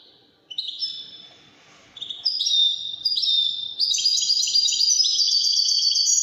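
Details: Goldfinch song in the Wedani style, starting with soft high notes and building into loud, dense, rapidly repeated tinkling twitters and clear whistled tones.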